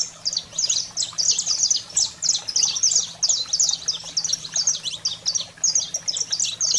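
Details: Saffron finch singing energetically, a recording meant to stimulate pet canaries: rapid high chips and slurred notes pour out in tight bursts about every half second, nearly unbroken throughout, with a faint low background hum.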